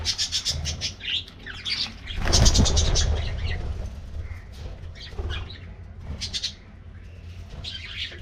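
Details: Colorful budgies in an aviary colony during the morning as they get a diet treat: busy high chirps and squawks, a burst of broadband rustling near the middle, and a steady low hum beneath.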